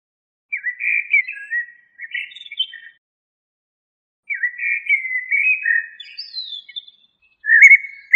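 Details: A common blackbird (Turdus merula) sings leisurely warbled phrases with gaps of silence, including a scratchy high flourish near the end of the second phrase, then a final bright, louder whistle.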